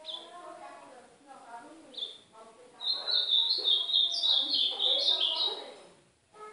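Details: Ultramarine grosbeak in the northeastern Brazil singing style, used for training a young bird: soft low chirps and a short high note lead into a long, bright, rapid warble of rising and falling notes.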